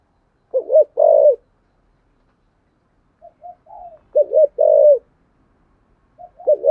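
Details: Spotted dove calling in the 'thổ sấm' voice style with a two-note ending: two deep coo phrases about three seconds apart, each a quick bent note then a longer falling one, plus soft introductory notes.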